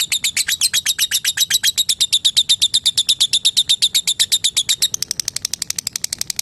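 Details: Lovebird in a long ngekek trill meant to call a rival and draw other lovebirds to answer: a sustained rapid rattle of shrill pulses, about seven per second, growing slightly thinner and quicker near the end.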